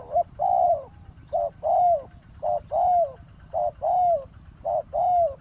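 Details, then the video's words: Spotted dove cooing steadily as a decoy to lure a wild dove at a roadside ground trap: crisp repeated pairs of a short note and a longer arched coo, five pairs in even rhythm. "เสียงนกเขาใหญ่ ต่อ นกเขาใหญ่"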